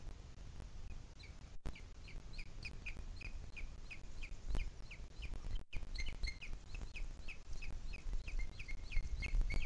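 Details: Booted eagle recorded on 2 July 2021 at 17:53 in the Sierra de Guadarrama, giving a long chattering series of shrill, clipped notes, roughly three to four per second, some slightly downslurred, over constant low wind noise.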